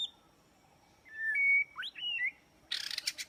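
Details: White-rumped shama song used as trapping bait: a smooth rising-then-level whistle, a sharp upward slur and a wavering phrase, followed by a short burst of harsh, scratchy chatter.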